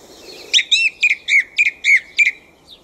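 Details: A thrush singing in a back garden at night: a fast run of seven bright, ringing notes, each with a quick upward-then-falling twist, about three per second over a quiet background.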